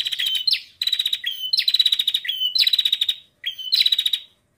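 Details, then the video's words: Bar-winged prinia female, its calls meant to set males singing: short whistles followed by quick buzzy chattering trills, roughly four phrases with short silent breaks. "PRENJAK BETINA SUPER GACOR ,SPEK PEMANCING ULUNG UNTUK PRENJAK JANTAN AGAR CEPAT GACOR"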